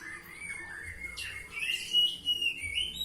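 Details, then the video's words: Oriental magpie-robin in ngeplong song: a thin, sustained whistle wavers and rises, then a louder, clear, slightly slurred whistled phrase follows in about three seconds. "Kacer Ngeplong"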